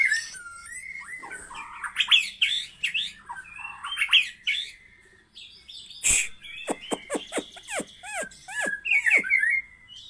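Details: Murai batu, or white-rumped shama, with a 20 cm tail, singing in an open, ringing (ngeplong) style: varied whistles and rapid chattering notes, then a series of steeply falling whistled notes and a final rising trill, with occasional sharp knocks.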